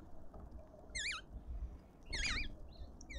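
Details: Southern boubou in a suburban garden in Pretoria, South Africa, giving brief wavering, warbled whistled notes, two clear bursts about a second apart, over steady low rumbling background noise.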